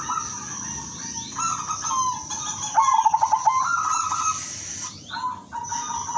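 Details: Silver-coloured female zebra dove calling to males: soft hollow coos, then a quick rattling run of clipped notes near the middle, followed by more gentle cooing, with a steady shrill hiss running underneath throughout.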